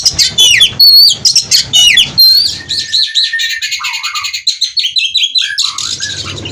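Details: Oriental magpie-robin kept at a breeding farm in Kroya, Indonesia, singing during mating to spur rivals to sing; dense, rapid stream of sharp high whistles, buzzy chirps and trills, with a few lower slurred notes near the end.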